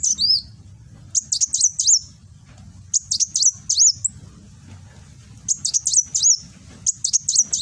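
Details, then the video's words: Caged sunbird from Gresik, East Java, filmed on an Android phone singing 'nembak' song: four bursts of fast, thin, high-pitched chips, each ending in a curling whistle, spaced about one to two seconds apart over a soft low drone. "Burung Kolibri Wulung nembak"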